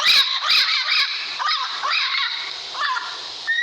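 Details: Parrot uttering rough, grating squawks in arched phrases, one after another, with a brief clear whistle at the end.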